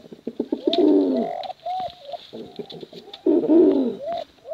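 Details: Male and female contest pigeons deliver two strong deep coos that dip downward, joined by short arched notes and quick clicking between phrases, over a faint high-pitched hiss.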